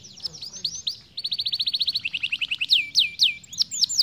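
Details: Young-canary training song: scattered sweeping chirps give way to a fast, regular rolling trill, followed by loud descending whistled swoops spaced about every half second.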